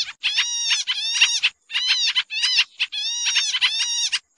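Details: Noisy pied triller lure call for trapping: long rasping chattering bursts of about half a second, each built of rapid harsh harmonic notes, repeated after brief pauses over a quiet background.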